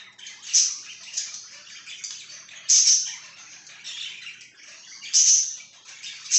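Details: Pet budgerigar chirping indoors: a steady busy chatter of high scratchy warbles with sharp squeaky peaks roughly every two to three seconds.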